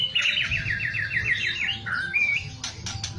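A white-rumped shama opens with a fast run of about nine repeated chattering notes, then gives clear rising whistles and a few sharp clicks.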